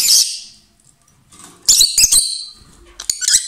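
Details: Two lovebirds calling loudly, giving a piercing screechy squawk, a silent gap, then a cluster of harsh, high chattering notes and a final shrill burst.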